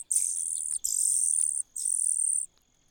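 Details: Common cuckoo in a nest: three long, loud, very high hissing bursts, each under a second, separated by short gaps, over a faint steady high-pitched whine in the background.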